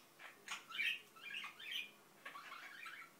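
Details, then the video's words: Indian ringneck parakeet kept as a pet, quietly mumbling: a few clicks, then soft garbled warbling phrases and squeaks in irregular bursts separated by brief silences. "İndian Ringneck Börek mumbling"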